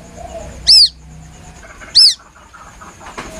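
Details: White-breasted waterhen chick calling plaintively, recorded as a hunting lure: two sharp, high arched peeps about 1.3 seconds apart over a quiet background with faint low chirping.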